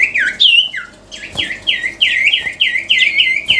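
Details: Sirtu cipow songbird in full, melodious song: a fast run of clear, downslurred whistled notes, each bending into a short trill, repeated in quick succession with a brief pause near the start; faint room echo.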